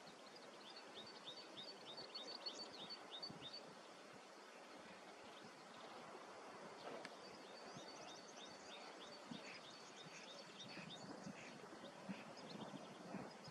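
A Whimbrel gives two faint bursts of quick, high, even notes in a rippling titter, set against steady wind-like rushing and rustling.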